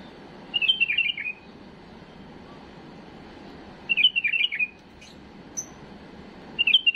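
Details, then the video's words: Error-free song of a tame bulbul, used to train chicks: three warbled phrases of bouncing, sliding whistles, spaced roughly three seconds apart, with a faint high note between them. "تغريد بلبل اليف خالي من الاخطاء لتخريج الافراخ"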